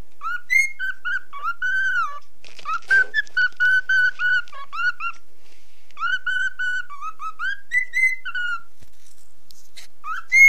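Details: Young cockatiel of nine months singing and following a mobile phone: long phrases of clear, repeated whistled notes with small rises and dips, broken by a brief rustling noise near the three-second mark.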